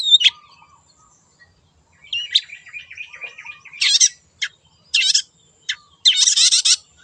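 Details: Vigorous song of a wild long-tailed shrike used as a lure: a sharp opening note, a soft chattering warble, then repeated harsh buzzy rasping bursts and brief chips.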